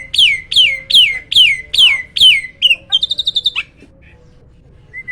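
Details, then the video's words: Loud song from a hybrid myna: six slurred, falling notes repeated about every half second, then a fast buzzy trill, followed by near silence and one faint whistle. "MISTERI JALAK HYBIRD ‼️ SUARA KERAS KICAU LANTANG ‼️"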